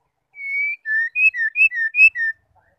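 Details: Female white-rumped shama calling to make males sing: a long steady whistle, then seven quick clear whistled notes alternating higher and lower, each slightly slurred, in a tight evenly spaced series over about two seconds.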